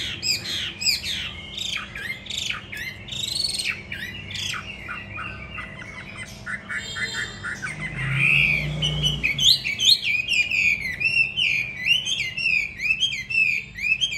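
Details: Caged hwamei, a trained fighting bird filmed upstairs, delivering a long, varied song of loud slurred whistles, chattering runs and harsh squawk-like notes, briefly interrupted by a low thump and a man's voice midway.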